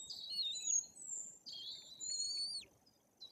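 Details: White-tailed eagle nestlings almost three weeks old in Bory Tucholskie, Poland, during parental feeding; two long, high, squealing whistled phrases, each ending in a downward slur, then quiet.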